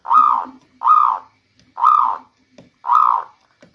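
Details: Local zebra dove song used as a lure in the rainy season: four soft, arched mid-pitched coos, each about half a second, repeated roughly once a second, with faint low hum between notes.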